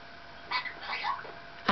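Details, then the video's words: Pet Maximilian's pionus indoors, chatting and singing with its owner while waiting for a delivery; a short run of warbled, squeaky notes rising and falling, with the owner's speech just around it. "Django talking and singing"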